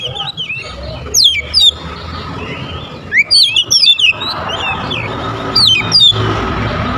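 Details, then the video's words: Oriental magpie-robin (kacer) song used as a bird lure: three separate bursts of quick, steeply sweeping whistles, the middle one a busy run of twisting notes, over low background rumble. "suara burung Kacer...kicau pikat terbaik...||suara pikat Kacer ||pancingan kacer"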